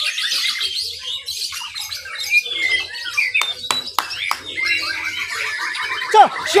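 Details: Contest white-rumped shamas, class B, Mimika, Papua, Indonesia, pour out rapid varied whistles and chips. Sharp clicks and snapping sounds cut in midway, and a loud downward-swooping note ends the stretch.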